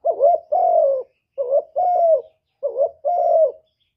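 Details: Spotted dove performing the full calling-urging-cooing song, recorded without background noise to stir other doves. Three even phrases, each a quick double note rising then a sustained mellow coo easing downward.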